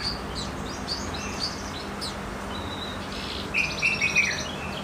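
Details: Goldfinch mule song of light, high chirps and slurred notes, finishing with a quick buzzy trilled burst, against a constant low-pitched background drone.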